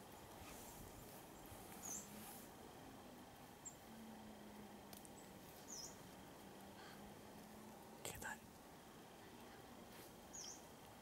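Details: Yellow-browed warbler in winter, 11 January 2015, Bosco Scorace, Trapani, Sicily, giving thin, high, slightly rising 'tsweest' calls about every two seconds, faint over a steady background hiss.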